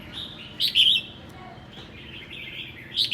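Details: Red-whiskered bulbul, Sơn La, Vietnam, on a cold day, giving a brief ché-style song: one loud, bright warbled burst followed by softer trailing chatter and a final short note.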